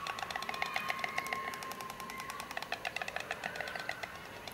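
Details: White storks on their old nest in 2006, a nest in place since 1998, give a rapid, dry, wooden clattering in fast bursts like a sewing machine, over a steady electrical hum.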